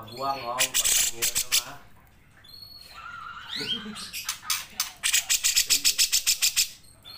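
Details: Cucak jenggot, the grey-cheeked bulbul, in full gacor song with long nembak bursts, recorded for training other songbirds. Rapid pulsed bursts open, a swooping rising note and nasal harmonic notes follow, then a long even pulse train with whistled overtones.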